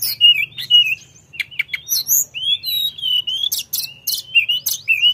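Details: Lively Sunda forktail song: high whistled slurs and clicking chips, then a jumble of shrill rising and falling notes, with a faint low hum beneath.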